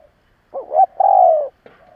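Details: Spotted dove used as a decoy, cooing strongly to provoke other doves: a short wavering two-part note, then a long, steady, slightly falling hollow coo, with a faint start of another phrase.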